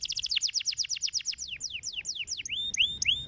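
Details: Canary song played to stimulate canaries to sing: a rapid series of downward-sweeping notes that slows as it goes, followed by rising, bell-like whistled notes at the end.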